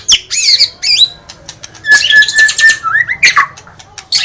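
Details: White-rumped shama singing sweeping high whistles, dense scratchy chatter and sharp clicks, then a rising slurred phrase, over a low background hum.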